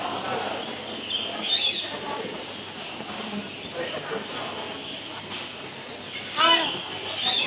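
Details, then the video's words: A green Eclectus parrot mimics human speech, short raspy word-like bursts of "hello" and "bye bye", over a steady hiss of room noise. "vẹt eclectus màu xanh cực đẹp nói được hello"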